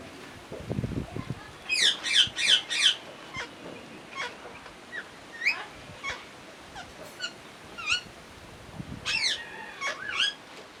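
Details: Parrot chirping, a run of sharp repeated high chirps at first, then scattered single squawky notes and short downslurred calls, with a low murmur near the start and end.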